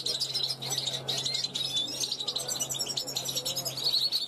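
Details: Young European goldfinch hatched in 2021, singing from a balcony to attract passing wild goldfinches; rapid liquid twitters and metallic chirps run together in an unbroken high-pitched stream, with a faint steady low hum beneath.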